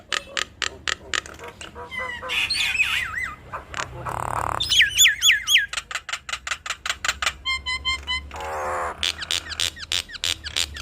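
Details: Two Nias hill mynas in a duet, used as a lure to provoke other mynas into calling. Loud, rapid harsh clicks and squawks alternate with ringing, wavering whistles and bursts of rasping notes, about four per second.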